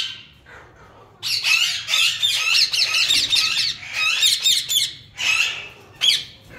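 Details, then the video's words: A lutino Indian ringneck parakeet, a talking pet, chatters in harsh, squawky bursts, with several short phrases over about five seconds, high-pitched and raspy. "YELLOW RINGNECK TALKING PARROT"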